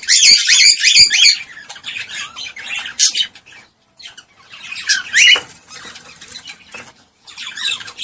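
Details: Cockatiel mating call for stimulating breeding: an opening burst of intense shrill chirping, then scattered chirps and whistles with short silent gaps.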